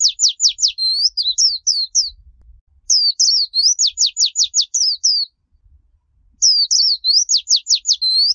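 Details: Japanese white-eye delivering líu chòe song for training young birds: repeated phrases opening with a rapid series of sharp down-slurred notes, followed by warbled twitters, three phrases with brief pauses.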